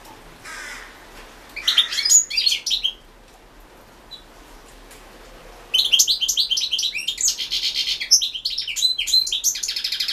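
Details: European goldfinch singing in a 2016 world championship goldfinch song competition; bursts of fast, tinkling twitters and buzzy trills, a short phrase near two seconds, then a longer continuous twittering run after a pause.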